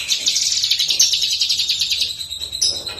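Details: Lesser green leafbird master song for training songbirds: continuous high buzzy trilling warble lasting about two seconds, then a sharp squeak.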